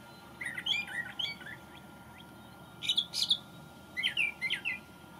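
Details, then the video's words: Brown thrasher singing in May after returning from migration: high, quick chirping phrases, then louder buzzy doubled notes near the end, each burst short with brief gaps between; faint steady hum in the background. "Thrasher Sings the May"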